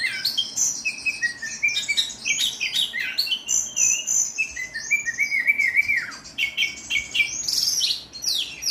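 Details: An oriental magpie-robin delivers 'tembakan kasar', a harsh shooting style of song: a torrent of varied whistles, curling slurs and scratchy chatter, including a long descending sweep near the end, with no other sounds.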